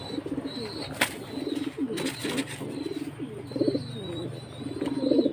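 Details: Jacobin pigeon giving soft, rolling coos throughout, with a sharp click and a short burst of rustling early on and a thin steady high tone behind.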